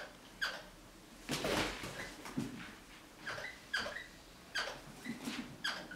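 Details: Crimson rosella protecting a sock indoors: short squeaky calls repeated about every second, each with a bright upper tone, mixed with thumps and scuffling from handling.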